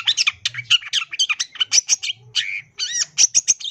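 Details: Long-tailed shrike pouring out a dense, mimicry-laden song used as a master recording: fast rattling chirps and scratchy notes, then looping arched whistles and sharp high pips in quick succession.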